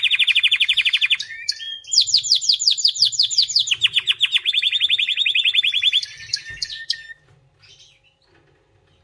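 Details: Song of a white canary: fast, high rolling trills shifting through several tours, a buzzy run rising into a sharper rattling phrase, then a steady rolling trill, before fading into near silence after seven seconds.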